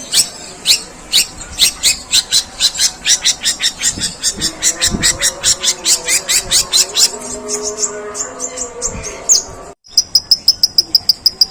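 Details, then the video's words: Long-tailed shrike delivering long, coarse imitations of sparrow calls: a fast, slightly uneven run of sharp high chirps, then a brief gap and a quicker, cleaner burst of chirps at the end. "Suara pentet tembakan gerejaan panjang dan kasar"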